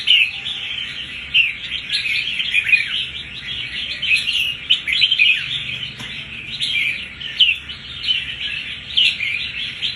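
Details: Red-whiskered bulbul, a wild-caught bird about one month in captivity, showing fighting spirit; dense, continuous chattering and warbled phrases with quick rising and falling notes throughout, several bright whistled accents, steady faint background hum.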